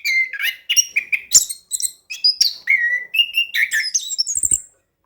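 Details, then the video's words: A steadily singing orange-headed thrush, used to stir quiet birds into song, gives a string of varied whistles, chirps and downslurred notes in short phrases before falling silent near the end. "ANIS KEMBANG GACOR DAN NGEROLL COCOK UNTUK PANCINGAN ANIS KEMBANG MALAS BUNYI"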